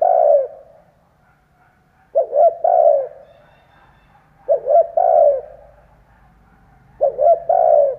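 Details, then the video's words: Decoy spotted dove cooing to excite and lure wild doves; low mellow phrases of two quick notes and a long falling coo, repeating roughly every two and a half seconds, quiet background. "Chim cu gáy kích bổi , Cu gáy kích bổi mở là gáy"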